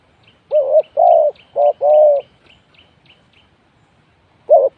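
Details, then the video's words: Decoy spotted dove used to lure wild birds into a trap: four mellow coo notes in quick succession, then a pause and another coo, while a thin high chirping repeats in the background. "The Sound Of Spotted Dove is good"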